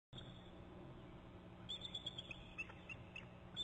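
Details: An eagle at 4:38 am on June 19, calling while moving to a stump, gives a quick run of thin, high chirping notes in the second half, over a steady background whine and low hum.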